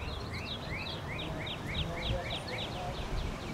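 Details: Common yellowthroat singing a rapid, steady series of rolling, chevron-shaped phrases, about four each second, running through the whole stretch over a low background rumble.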